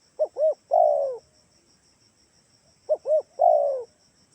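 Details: Spotted dove from Kalimantan calling as a lure so other doves reply: a phrase of two brief hoots then a long mellow falling coo, repeated about every 2.7 seconds, with a continuous high-pitched insect drone.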